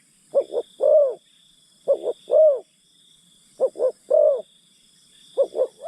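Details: A spotted dove acting as a decoy for wild birds coos in a steady rhythm, double short note plus a longer bending note, four phrases in quick succession, insects whining steadily behind.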